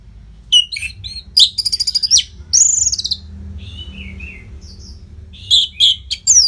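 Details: Orange-headed thrush (anis merah), Bali, with a continuous song meant to keep fighter birds fit: varied whistles, rapid rattling trills, a long arched slurred phrase, soft descending warbles and closing sharp notes over faint hum.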